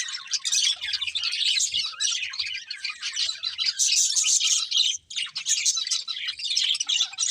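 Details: Budgerigars chirping, a dense continuous chatter of warbling, scratchy and squeaky notes from several birds, with a brief pause near five seconds.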